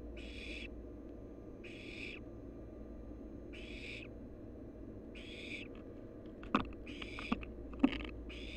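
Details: Wild barn owl nestling at the nest repeating a rasping hiss roughly every second, seven bursts in a row, followed by a few sharp knocks and scratching clicks near the end.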